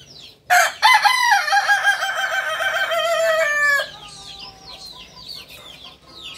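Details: Native Solok, West Sumatra Kukuak Balenggek rooster with a strong crow. It starts abruptly, pulses for three seconds, and drops in pitch at the end. Light, rapid descending chirps continue afterward.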